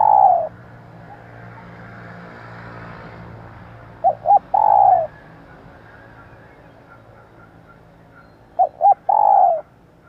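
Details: Spotted dove female call for luring males and training decoys: sparse phrases of two quick short notes before a long falling coo, repeated about every four to five seconds amid a quiet hiss.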